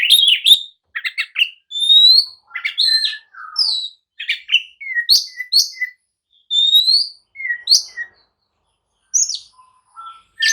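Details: Oriental magpie-robin, agitated and challenging rivals to answer and fight, delivers clear whistled upslurs, short chirps and repeated lower notes in separate bursts with frequent brief pauses.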